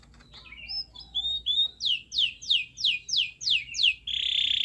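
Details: Canary song meant to provoke a silent canary: soft whistled notes, then seven slow, evenly spaced descending sweeps, ending in a steady buzzy rattle.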